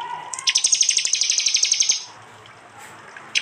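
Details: Prinia recorded on an Android phone in East Java, mixed with jali and mountain prenjak into a loud 'tembakan' training track for songbirds. After a low tone, a fast run of sharp, high ticking notes lasts about one and a half seconds.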